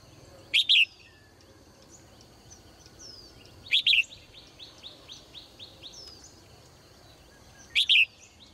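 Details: Female cage bird calling in the morning: three loud, sharp two-note chirps spaced about three to four seconds apart, with a soft run of quick, falling chirps from other birds in between over steady background hiss.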